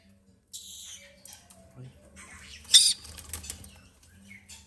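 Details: White-bellied caique chicks being hand-fed give harsh, raspy, hissing begging squeals in short bursts, one louder burst near the end, with soft rustling and handling noise.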